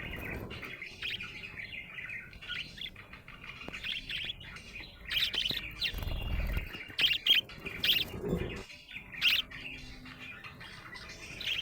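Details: Happy budgerigar warbling softly at first, then louder bursts of sharp chirps and clicks, with a low thump midway.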